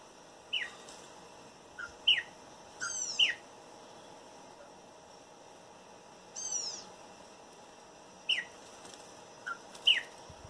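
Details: Wild Campo troupial singing in a backyard: short, clear whistled notes that slur downward, given in loose pairs every one to two seconds, with thin high arched notes at about three and six seconds over a steady faint hum.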